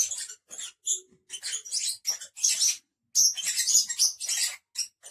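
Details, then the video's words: Five pet lovebirds keep up a loud, near-continuous chatter of shrill squeaks and harsh chirps that overlap in busy runs, with only brief gaps between them. "cinque pappagalli inseparabili agaponis. Five Parrots inseparable agaponis."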